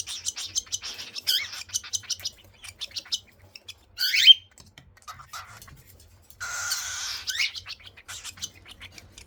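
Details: Cockatiel chicks begging at feeding time indoors: a rapid run of short, raspy, high chirps in quick bursts, with a few louder rising squeals breaking through the chatter.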